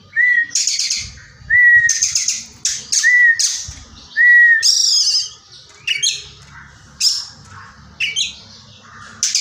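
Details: Caged Oriental magpie-robin trained with Tengkek Buto kingfisher material: four short clear whistles each paired with a rasping burst, then harsher scattered squawky notes.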